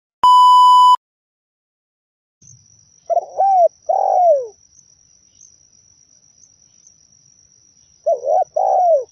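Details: Zebra dove song used as a lure to attract and trap other zebra doves: after a short steady electronic beep, two bursts of low, rolling, trilled coos in quick phrases, with a faint constant high whine throughout.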